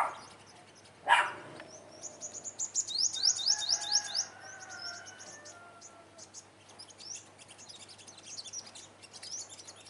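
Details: Olive-backed sunbird at a trap site, confronting dominant rival males: thin, high chirps, then a quick run of bright rising notes and a fast trill, with a single loud knock early on and faint lower tones beneath.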